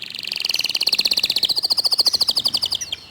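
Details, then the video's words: Local canary with a clear voice pouring out a tight, rapid 'tembakan' trill: about thirty-five sharp high pulses in three seconds, steady in rhythm, shifting slightly higher midway. "Kicau Kenari Lokal Tembakan speed rapat Suara Jernih"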